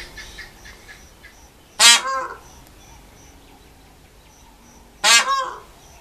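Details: A peacock right outside a hotel room gives two loud, harsh wailing calls about three seconds apart, each a brief nasal blast, with faint high chirps of small birds behind; the onlooker guesses it may be a mating call.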